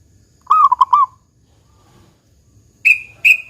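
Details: A local zebra dove with a large 'kung' voice, kept to encourage other doves to call, gives one short pulsed coo phrase. Two higher, sharper whistled notes follow a couple of seconds later.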